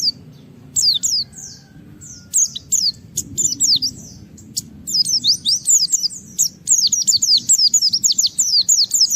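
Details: Japanese white-eye singing to challenge a rival and draw other white-eyes into song; scattered high descending whistles at first, then a dense, fast run of thin sliding notes, with low background rumble throughout.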